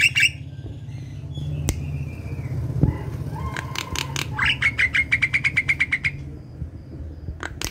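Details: Javan myna song intended to stir reluctant mynas into singing: harsh opening notes, a loud click, a level whistle and a low whistled note, then a rapid rattling series of short high notes, with background rumble.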